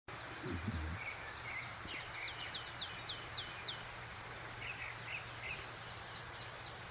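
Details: Birds singing on a morning in Yumyeongsan's mountains, South Korea: faint, quick high chirps and short trilled bursts scattered across the clip, over the constant rush of a mountain stream.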